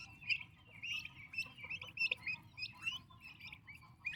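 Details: Healthy, active turkey chicks under their mother's care give rapid, uneven high chirps that overlap almost without a break, over a low rumbling background.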